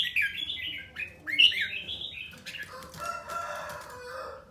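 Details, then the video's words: Red-whiskered bulbul in song training gives two quick whistled warbling phrases, then softer rustling and scratchy sounds. "Luyện giọng chào mào ché"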